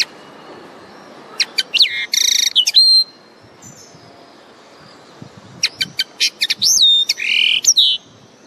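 A common linnet sings two bursts of bright twittering, with buzzy trills and ringing whistles that swoop up and down, separated by a pause.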